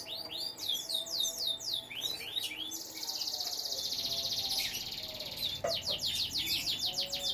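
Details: Captive canary at a breeding setup with chicks, singing a fast run of high, downward-sliding whistled notes, then a dense buzzy trill held about a second and a half, then more quick falling sweeps. Faint low hum underneath.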